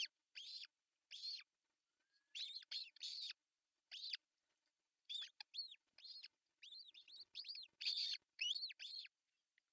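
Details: Osprey at its artificial nest in Pohjois Satakunta, Finland, June 10, 2024, as the male delivers a big fish for breakfast; rapid, insistent series of high whistled yelps, quickening and growing louder toward the end.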